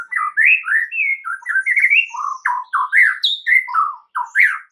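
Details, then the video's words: White-rumped shama song used as a lure so that other shamas reply: continuous rich whistled warbling of rising and falling slurred notes, loud and varied, delivered rapidly without pause. "dengar PANCINGAN murai Batu ini dengan CEPAT murai anda langsung NYAUT seketika"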